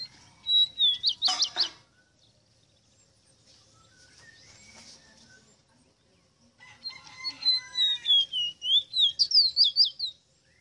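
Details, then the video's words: Two phrases from a Ruddy-breasted seedeater (Sporophila minuta), known as ave rosita: a quick burst of steep whistled slurs, a pause with soft harmonic calls behind, then a longer string of about ten descending then undulating whistles. "CANTO DE AVE ROSITA"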